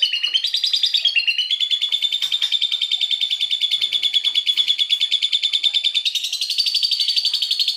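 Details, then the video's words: Asian pied starling imitating a lovebird, offered as a tutor recording for magpie-robins: a shrill, buzzy, unbroken chatter held high, pulsing about three times a second, with no other sounds. "SUARA JALAK SUREN versi Lovebird"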